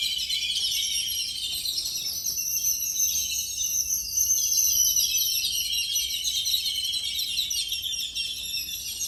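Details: A flock of Yellow-billed babblers chatters nonstop, a dense overlapping wash of harsh, high squeaky chirps with no pauses, recorded January 7, 2021 at 8:58 AM.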